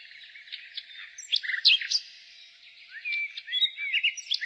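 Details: Spring nightingale song against a dense background of other birdsong: scattered sharp notes, a brief loud whistled flourish, then sliding whistles and quick clipped phrases.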